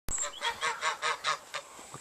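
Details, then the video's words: Rowdy farm geese give a quick run of about six nasal honks, evenly spaced and fairly soft, fading toward the end. "Rowdy Geese of the Farm"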